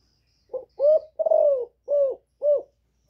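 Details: A female spotted dove gives a calling coo of five soft, low notes, each a short hollow hoot with a slight rise and fall, spaced about half a second apart.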